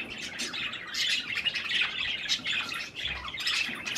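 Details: Several pet budgerigars chatter while eating cherry tomatoes, a continuous stream of scratchy warbled chirps and squawks with short dips.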